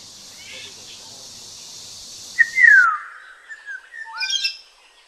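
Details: Black-naped oriole in Kaohsiung, Taiwan, 9 May 2016: a loud, slurred whistle that falls in pitch, followed by a few softer fluty notes and a short rising whistle. A steady high insect hiss plays at the start.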